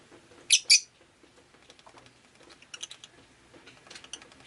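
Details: Rosy-faced lovebird kept as a pet, recorded on a rainy day: two loud, shrill chirps in quick succession, followed by softer, scattered chirps and faint clicks.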